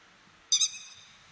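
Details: Grey-headed Lapwing, a bird of Japanese fields and waterside, giving a quick pair of shrill, harsh, metallic notes that fade fast against a quiet background.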